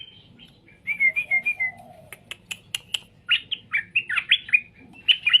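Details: Straw-headed bulbul song played so other birds answer: a few clear whistled notes, then a quick run of rich, liquid warbled phrases. Sharp chirps from other birds and a lower soft trill come in the middle.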